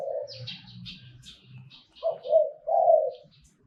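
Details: Zebra dove singing in the Thai 'Liu Tan' style: fainter mid-pitched cooing at first, then two loud rolling, slightly descending coos near the end; higher chirps from other birds and a low murmur early on.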